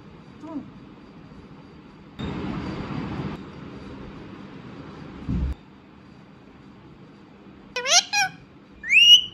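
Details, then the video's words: Pet Indian ringneck parrot (rose-ringed parakeet), talking: a few brief, bright vocal phrases near the end with sharp rising and falling whistled tones, after earlier rustling and handling noise. "Cute talking Indian ringneck parrot"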